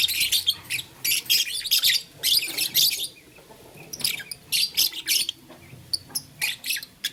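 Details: Morning play with a flower by blue, lutino and green pet lovebirds; clusters of shrill, buzzy chirps come in quick groups, a quieter stretch midway, then short chirps roughly every half second.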